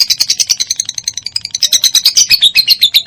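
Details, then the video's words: Song of a minor lovebird, used as a master recording to stimulate other lovebirds to sing. Rapid, harsh, high twittering notes, irregular at first, then louder and slightly falling. "MASTERAN SANGAT AMPUH BURUNG LOVEBIRD MINOR"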